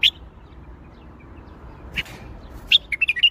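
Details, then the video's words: Bulbul song in the Baghdadi style: an isolated high chirp at the start and another about two seconds in, then a rapid run of clear, fluty whistled notes closing the recording, with faint low hiss beneath. "تغريد بلبل طور بغدادي"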